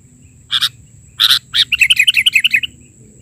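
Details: Sooty-headed bulbul, 'isian' filler song in the 'bahari' version, sung energetically. Two harsh chips, then a quick series of about ten rippling warbled notes, with a thin steady high-pitched hum behind them.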